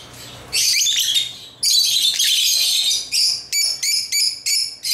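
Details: African lovebirds kept as pets, playing with toys; harsh high chattering bursts followed by a run of separate sharp, ringing chirps roughly every half second, each with layered overtones.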